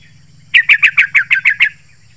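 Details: Yellow-vented bulbul uttering eight clear, evenly spaced chirping notes in under a second and a half, over a faint low hum. The song is played to lure and stir other bulbuls.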